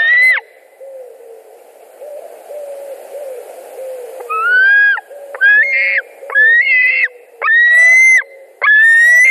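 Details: Screams of white-tailed eagles at a Latvian nest on 2 August 2020, as a carp is delivered and the adults fight over it. Faint low sounds come first, then a run of loud, rising, strident yelps about a second apart.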